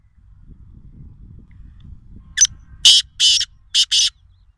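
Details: Kala teeter, the black francolin, near a farm house in Nawabshah, gives a short lead-in note followed by four loud grating, scratchy notes in a brisk broken rhythm, with only faint low background noise.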